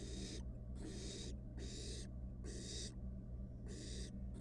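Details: In a monitored nest box, a wild barn owl chick plays with its dinner and utters loud breathy screeches in quick succession, nearly back to back, over a continuous low drone.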